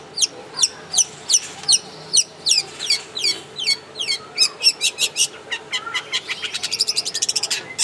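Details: Long-tailed shrike in the wild gives a series of sharp, down-slurred notes repeated a few times per second, then speeds into a rapid, higher chattering trill toward the end.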